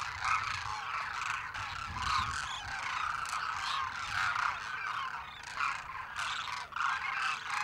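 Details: Demoiselle cranes, a migratory species, massed in a spectacular flock, producing a constant din of overlapping throaty rattling calls with a few louder bursts, plus low-frequency rumble.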